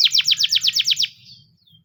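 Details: A Russian canary sings a quick run of about eight bright, high, down-slurred notes, roughly eight a second, then stops, over a faint low hum.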